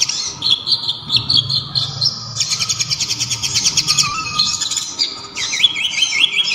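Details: Local konin sunbird song with kapas tembak phrases: warbled high notes, then a long, evenly pulsed trill, ending in a string of rapid zigzag whistles.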